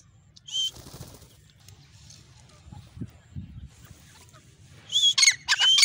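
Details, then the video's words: A male grey francolin gives a brief shrill note, then a burst of loud, high, ringing whistled strokes near the end, over a low background rumble. "Male teetar ki awaz"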